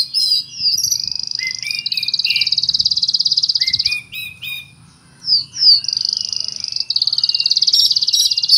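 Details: Oriental magpie-robin song full of cricket mimicry: two long, high, rapidly pulsing buzzy trills imitating a cricket, separated by short sharp chirps and quick whistled notes.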